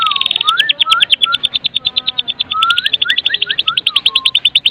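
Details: Crackling kretekan song of a Medan white-rumped shama packed with imitations, used to set other shamas singing: an unbroken high rapid rattle over a sequence of clear rising and falling whistled slurs.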